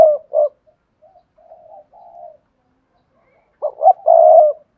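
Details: Spotted dove, hạp bổi voice, Cườm Sa song style: the end of a coo phrase, a run of soft, muffled, wavering coos, a pause, then a fresh phrase of two short coos and a long loud coo.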